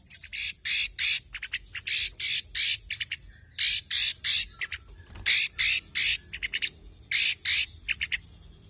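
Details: Tame long-tailed shrike (cendet, pentet) in full song, a competition-style bird used to prompt and tutor other birds: harsh, broadband squawking notes in rapid pairs and triplets, grouped in bursts separated by short pauses.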